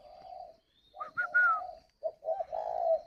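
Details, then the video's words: Captive spotted dove, Ba Vì, Hanoi, northern Vietnam, in 'gáy gọi hậu' song: low hollow coos with higher, falling whistled notes above them, then a three-part coo ending in a long drawn note. "Gáy gọi Hậu 1"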